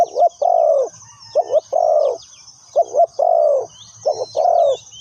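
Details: Decoy spotted dove for trapping, repeating its three-part cooing phrase: a short double note then a long, soft, falling coo, heard three times in quick succession over faint chirping of other birds and a low hum.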